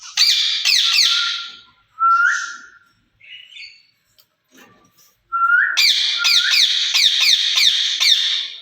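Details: Two caged ringneck parrots talking in Urdu or Hindi: bursts of shrill rasping screeches with short rising whistles, a quiet gap of soft chatter, then a long run of screeches.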